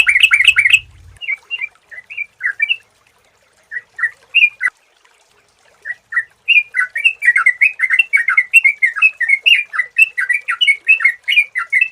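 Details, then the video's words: Sooty-headed bulbul lure sound: an opening burst of loud chatter, then scattered sweet, slurred whistled notes that build into a long continuous warbling stream of bubbling phrases. "suara burung trucukan jernih jenis apapun"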